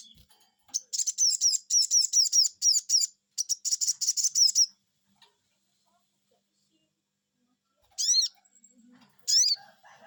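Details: A sogon bird reacts to a lure call with a fast run of about twenty rapid high buzzy notes lasting four seconds, then silence, then two separate harsh rising-falling calls. Faint low hum comes at the end.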